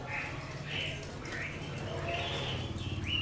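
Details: Caged Chinese hwamei from Lạng Sơn, eight months in the cage, singing short whistled phrases with gaps between them, set over a steady low hum.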